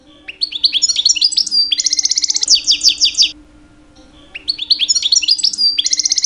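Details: In mating season a two-year-old caged male European goldfinch sings to attract females: quick liquid twitters, then a run of evenly repeated buzzy trilled notes, a brief pause, and twittering resumes; low electrical hum throughout.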